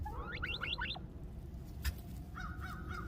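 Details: Female turkey calling: a quick run of four sharp rising whistled notes, then softer wavering tones after a short pause, over a low rumbling background.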